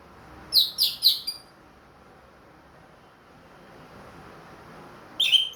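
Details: Caged ring-bred orange-headed thrush back to singing after moulting: a quick burst of three short high chirps, a long pause, then another brief high note at the end.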